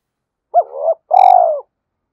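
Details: Spotted dove cooing to stir up wild birds. A brief phrase: a short rising-falling coo slurring into a soft hum, a pause, then a longer, vibrating, slowly falling coo.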